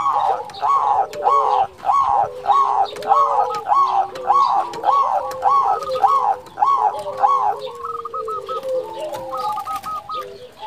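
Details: Local zebra dove with champion temperament sings a fast run of staccato, bubbling coo notes, roughly ten in a row at an even pace, trailing into lighter purring trills.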